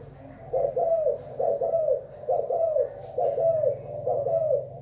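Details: Thai-type spotted dove cooing on 24 February 2019: paired throaty coo notes repeated in five rhythmic bursts, with a low droning hum beneath.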